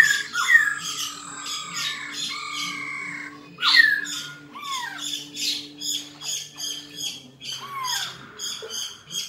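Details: A captive black-throated laughingthrush in competitive song gives loud rich whistles and harsh squawking notes in uneven bursts, over a steady low electrical hum.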